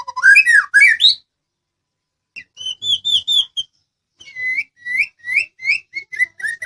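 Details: White-rumped shama of the Medan type, a training song meant to make other birds answer: rich whistled phrases, an opening burst of rising and falling slurs, then two runs of clear repeated whistles at a quick pace, separated by a short silence.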